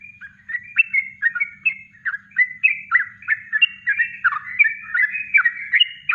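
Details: Yellow-vented bulbul in natural kongslet song for bird-training masters, delivering a continuous stream of liquid whistled notes that jump up and down in pitch, fast and slightly irregular, with a soft low hum beneath.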